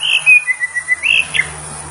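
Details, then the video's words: Greater green leafbird, known locally as cucak ijo or murai daun, giving a quick series of clear whistled notes, a brief rising-falling run of pulses with a sharp ending note, over a faint low hum. "Merdu suara Burung Cucak Ijo Murai Daun"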